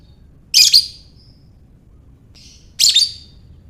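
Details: Lovebird giving its ngekek chatter, meant to bait other lovebirds: two sharp raspy double bursts about two seconds apart, with a quiet thin whine between them, otherwise near silence.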